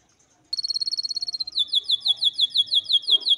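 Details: Canary song for training: a rapid buzzy trill of evenly repeated high pulses, then a switch to slower, louder descending chirps repeated about four times a second, with a soft low noise near the end.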